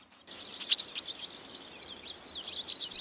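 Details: High-pitched, squeaky chirps and wavering twitters from barn swallow nestlings in a nest over a milking parlour door, recorded on a rainy day with a Sony DV camera, starting after a brief silence.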